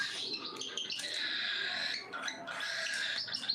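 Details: Cockatiels at feeding time make harsh, buzzy, drawn-out calls. Two long raspy bursts are separated by a short dip.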